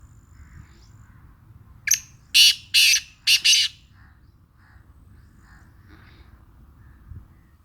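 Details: Black francolin from Sindh, described as deep-voiced, giving a short call of about five harsh, grating, buzzy notes in under two seconds. The first note is brief and the next ones are louder and broader. A quiet background hum runs throughout.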